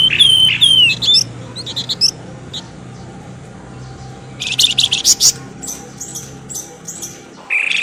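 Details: Lure calling meant to pull birds from the undergrowth: sweeping whistles and quick twitters, a pause, then a dense burst of sharp high chirps and a final loud note, over low hum and hiss.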